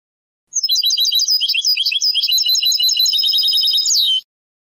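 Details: European goldfinch performing Moroccan Sebtaoui-style song, archived on cassette around the late 1990s: nearly four seconds of fast twittering notes, roughly three per second, mixing clear chirps with buzzy trills and ending in a descending slur.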